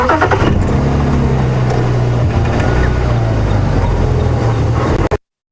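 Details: A safari vehicle engine rumbles steadily on a morning drive at Djuma Game Reserve, with no animal voice heard.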